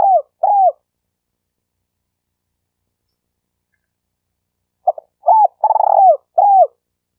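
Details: Spotted dove (tekukur) used as a denak lure bird for trapping in Malaysia: a phrase ends, silence follows, then a new phrase of quick clipped notes, a long purring coo and a falling final coo.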